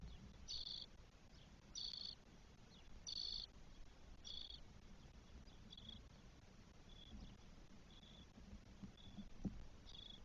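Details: Spotless starling nest with four chicks aged 12 days, Spain, June 2022. Harsh buzzy begging bursts come at first, then fade to softer, thinner notes over steady low background noise.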